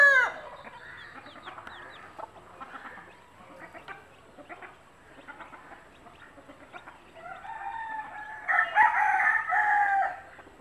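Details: Mother country hen scratching and picking up food to show her chicks, giving repeated short clucks at about two per second, with a louder, harsher burst of clucking near the end and faint high chick peeps.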